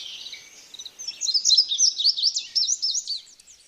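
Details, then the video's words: Singing birds: quiet high twittering swells into a lively, loud string of quick, sharp chirps and buzzy trills, then tails off. "Birds singing"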